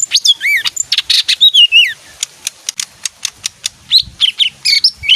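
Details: Leafbird, described as a clean bird that bathes often and sings when music plays, delivering a rapid, varied run of swooping whistles, buzzy notes and sharp ticks without pause.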